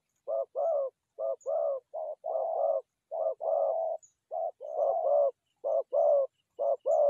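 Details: Forest dove calling for trapping, giving steady two-part coos, a brief note then a drawn-out one, repeated roughly once a second with slightly uneven spacing and no other clear sounds.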